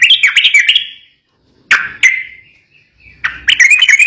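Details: Yellow-vented bulbul in an agitated song that provokes rivals to sing: a fast chattering burst, two drawn-out slurred notes fading away after a silence, then another brisk chattering phrase.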